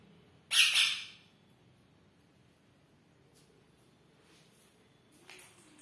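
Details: Pet rose-ringed parakeet meeting a new pair of ringneck parrots for the very first time indoors; one loud harsh burst of squawking lasting about half a second, then quiet with a faint brief squawk near the end.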